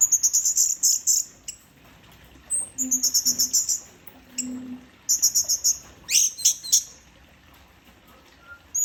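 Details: Orange-headed thrush singing in the 'teler' style: bursts of rapid, very high, buzzy repeated notes, separated by short pauses, with a single low hum near the middle and a thin whistle at the end.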